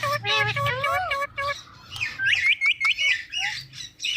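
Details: ['Talking Indian ringneck parrot: smooth, wavering voice-like phrases at first, then a string of short, sharp, high-pitched syllables and squawks.']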